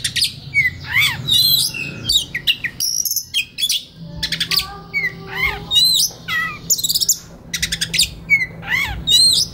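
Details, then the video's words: White-rumped shama sings relaxed phrases, recorded as a master for young birds to learn: sharp up-and-down slurred whistles, buzzy rattles and short chips in quick bursts with brief pauses. "SUARA KACER SANTAI LANJUT KONSLET Pas Buat Masteran Kacer Bahan Muda Hutan !!!"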